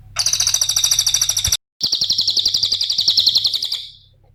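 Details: Cililin nembak ngetik song, played as a lure for other birds: fast, sharp high ticks repeated about four times a second, broken briefly by a cut, then resuming and fading out.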